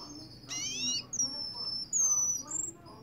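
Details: Russian canary from Kuwait giving a fast rising, buzzy burst, then long, pure, high whistles that hold level before ending with a brief flourish.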